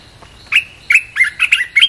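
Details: Red-whiskered bulbul song, played to lure wild birds: a burst of five or six loud, clear whistled notes, each dropping or slurring, spaced about a third of a second apart, with a faint thin tone underneath.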